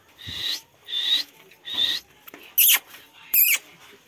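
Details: Pet ringneck parrot in a talking-training session; three rasping, buzzy squawks about half a second apart, followed by two shorter, sharper harsh bursts.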